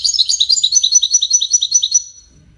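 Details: European goldfinch, widani song played to train chicks: dense, bubbly high twittering with sharp repeated notes, trailing off into quiet near the end.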